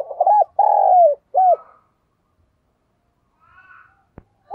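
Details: Decoy spotted dove with a 'thổ' voice style, cooing to provoke rival doves: one three-part phrase of a short mellow coo, a long drawn-out note and a clipped final coo, then quiet with faint distant calls, a sharp click and another coo starting.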